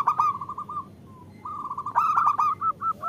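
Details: Local zebra dove female calling the male, used to lure males into song: quick stuttering coos, a faint lone note, then a loud rough burst and evenly spaced hoots.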